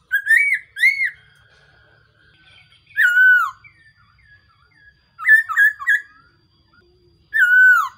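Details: Black-throated laughingthrush, also known locally as so-hu bird, calling as a trapping decoy: loud, clear whistled notes that rise then fall, a pair early on, a drawn-out slur near three seconds, a quick triple burst, then a final long whistle.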